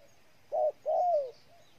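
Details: Single phrase of a spotted dove from Ninh Thuận, Vietnam: one short coo followed by a longer, gently falling coo, over quiet background.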